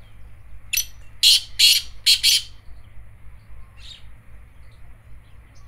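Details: Black francolin calling: a loud series of five harsh, rasping, broadband notes over about two seconds, the middle notes longest, then a fainter single note later; steady low rumble of background noise underneath.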